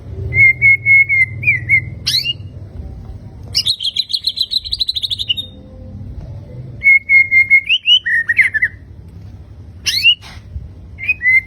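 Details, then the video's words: White-rumped shama, a fighter-type bird, delivering 'tembakan' bursts. Long sustained whistles alternate with a rapid buzzy chatter and sharp upward-sweeping notes, in loud phrases separated by short pauses, with a low hum underneath. "BURUNG MURAI BATU FIGHTER TEMBAKAN MEWAH"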